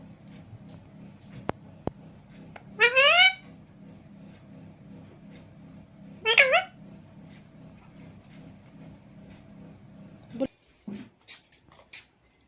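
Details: A pet talking parrot gives two short, bright, nasal word-like phrases a few seconds apart, each rising and wavering, possibly Hindi "mummy, I'm Mithu", with a low room hum and a few clicks.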